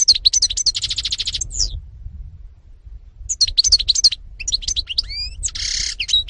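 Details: European goldfinch recorded in 2018 singing a rapid, tinkling twitter of high chirps and trills, broken by a pause, then resuming with rising whistled notes and a buzzy burst near the end; faint low rumble underneath.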